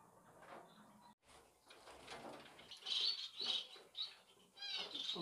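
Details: Finches give sharp, high twittering chirps in quick clusters that grow louder midway, with softer rustling between the bursts.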